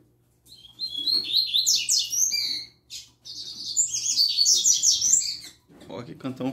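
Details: A young double-collared seedeater delivers tui tui zel zel song in two long bursts of rapid, chattering high notes mixed with buzzy trills, separated by a brief pause, with a low human voice heard at the end.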